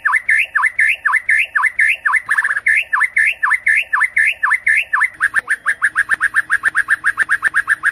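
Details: Night lure song of a white-rumped shama for training competition songbirds in Indonesia: repeated dipping V-shaped whistles about three a second, a brief buzzy burst, then a quicker string of short clipped notes.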